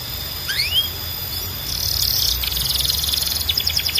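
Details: Canary song, loud and clear: a rising whistled slur, then a dense buzzy trill breaking into fast rhythmic chattering repeated several times a second, over constant high hiss.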